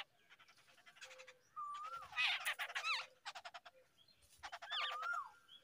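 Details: Babbler chicks begging as they are fed in the early morning: rapid rattling chatter with slurred whistled notes rising and falling, in three loud bursts.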